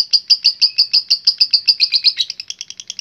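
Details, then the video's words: Lovebird in long 'ngekek' chatter: a fast, even series of sharp high chirps, about three per second, running for several seconds and quickening slightly toward the end, in a quiet room. "Love Bird Gacor Ngekek Panjang"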